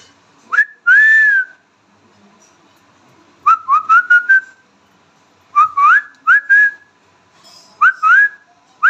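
An Indian ringneck parakeet talks in clear, whistle-like syllables, repeating short rising phrases in groups of three or four with pauses between.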